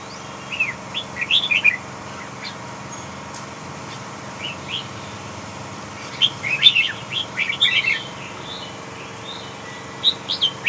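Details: Red-whiskered bulbul, a big-bodied Huế type, singing bursts of bright chirpy warbled phrases, quick rising and falling notes in groups of several, separated by pauses of a few seconds, over a steady low electrical hum.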